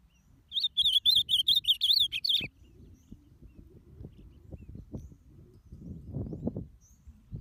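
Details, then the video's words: Ultramarine grosbeak warm-up song, used to excite other birds: one loud, fast warbled phrase of about two seconds, wavering and slurred notes running up and down, then low knocks and thumps. "esquenta azulão 🔥🔥🔥!!!! seu azulão vai ficar louco"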